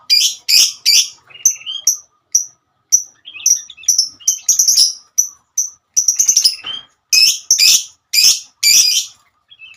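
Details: Female lovebird in ngekek song calling its companions: a busy mix of loud harsh chirps and thin whistled notes, irregular bursts spaced a half second or so apart, briefly quieter mid-way.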